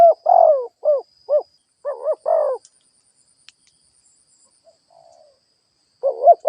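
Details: Lure spotted dove cooing to draw in wild doves: a fast run of short mellow hoots and a longer falling coo, a few faint clicks and a quiet low murmur, then the cooing resumes.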